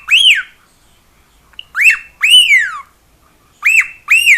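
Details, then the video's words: Pet cockatiel singing and noisy indoors: clear loud whistles, each rising then falling in an arch, some ending in long downward slides, in twos with short silent gaps, strong harmonic overtones. "CALOPSITA(KIKO) CANTANDO E FAZENDO BARULHO!"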